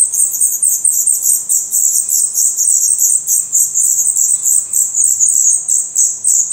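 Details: Dense, shrill chorus of Black redstart chicks in a nest in Portugal, eyes already open and adult feathers growing, the high chirps packed so closely they form an almost insect-like trill.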